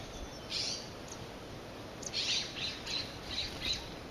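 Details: Nuttall's woodpecker (Dryobates nuttallii) drinking at a birdbath at a nursery gives short, sharp, high notes, one then a run of five about every third of a second, over steady low hiss.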